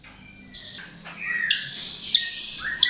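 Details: Chestnut-tailed starling lure song: buzzy high notes, falling slurred whistles and repeated sharp squeaks, growing louder toward the end.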